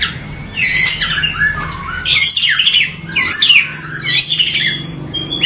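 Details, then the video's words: Rough-variation 'tembakan' song of a murai batu, or white-rumped shama, used to rouse rival shamas: dense mix of grating squawky notes and bright whistled slurs in bursts, with faint low hum behind. "MURAI BATU Full Tembakan Variasi Kasar Mewah bikin murai batu lain emosi"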